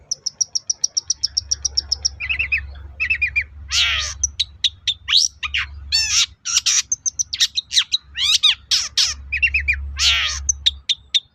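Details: Varied long-tailed shrike song meant to provoke other shrikes: a rapid even series of high ticks, then buzzy phrases, sweeping whistles and harsh rasps mixed together, with a low hum in the background.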